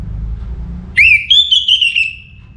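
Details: Orange-headed thrush (Geokichla citrina) calling before morning, one bright whistled phrase sweeping upward then running on as a warbled whistle that fades out, after a low background rumble; used to prompt other birds to sing.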